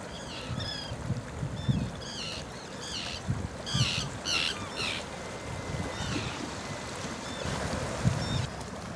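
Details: A mixture of terns calling from the pier and beach at South Shields: harsh, rasping squawks in quick bursts, several birds overlapping, over a steady low rumble of wind and surf.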